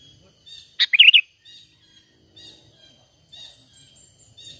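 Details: Sooty-headed bulbul's natural lure call for trapping, with no added songs. It gives a single cheerful gurgling phrase of quick rising and falling notes, followed by faint soft chirps in the background.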